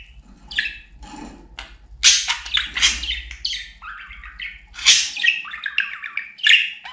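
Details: Pet budgerigar kept indoors, described as a talking bird, giving a fast chattering stream of squeaky, warbled and scratchy notes that jump between pitches, with a low hum underneath.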